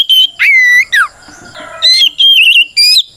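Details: Oriental magpie-robin in fighting song used as a lure for rival birds: a long drawn level whistle, a steep downslur, a pause, then clear trilled and wavering whistles.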